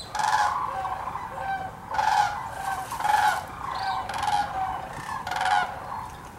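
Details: A big migrant flock of sandhill cranes at the Hiwassee Wildlife Refuge in Birchwood, Tennessee. Loud rolling, bugling calls come in bursts about a second apart, rising and fading over the ongoing flock chorus.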